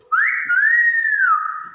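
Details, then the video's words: Common hill myna giving one clear whistled call, sliding up then holding a long, gently wavering tone before easing down; a voice exclaims right afterwards. "BEO SUARA ASLI"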